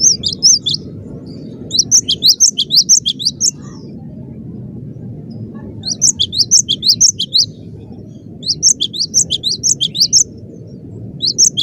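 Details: Cinereous tit in vigorous, dense 'gacor' song: bursts of rapid, sharp high chirps, each note slurred upward, delivered in clusters of several notes separated by brief pauses, over a low background hum.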